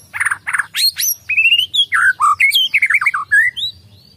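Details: Agitated white-rumped shama in steady song: a dense stream of varied notes, harsh squawks, bright rising and falling whistles and short warbles, delivered rapidly without breaks.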